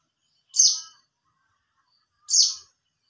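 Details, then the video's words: A white-eye (pleci) calls to other white-eyes, giving two thin, high, bright notes with a quick downward slur, about two seconds apart, against a quiet background. "memanggil Pleci Lain"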